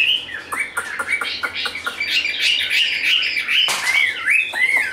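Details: Fighting-display song of a tame, large caged Chinese hwamei: staccato clicky notes followed by varied slurred whistles that rise and fall, loud and continuous.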